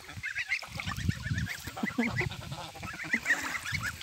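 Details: Domestic geese, a flock swimming on the Volga river, giving repeated nasal, harmonic-rich honks that overlap and come in quick bursts throughout, with a steady low rumble of wind or water underneath.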